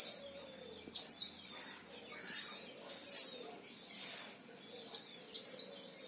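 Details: Caged oriental white-eye of the Himalayan type, a frequent singer from Sragen, Central Java, Indonesia, giving short, very high, sharp chirps and thin whistled notes in spaced bursts against a quiet hiss.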